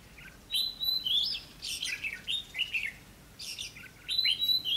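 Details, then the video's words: Caged decoy red-whiskered bulbul challenging wild birds at a trap in Vietnam, May 2016: loud rapid warbling phrases with sharp high notes, three close bursts within five seconds. "Bẫy đấu chim chào mào"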